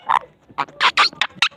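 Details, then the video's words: A talking parrot utters about six short, hoarse, word-like syllables in quick separate bursts, with brief silent gaps between them and no other clear sounds. "Talking Parrot"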